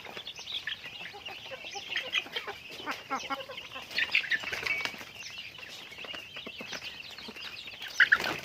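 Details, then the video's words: Chickens during daily activity flap their wings in dense bursts while high peeps and clucks continue throughout. "Natural Sounds of Chickens | Daily Activity with Chickens"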